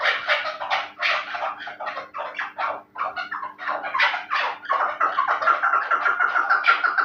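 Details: Fighting and hunting chukar partridge of the Terali type keeps up a dense, fast chuckling series of rasping notes, about three per second, becoming more run-together and steadier toward the end, over a low hum.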